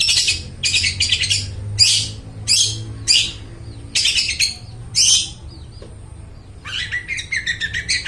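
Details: Song of a long-tailed shrike, played to draw out mute shrikes: repeated harsh scratchy chatter bursts in an irregular series, ending in a quicker softer twittering stretch, with low hum underneath.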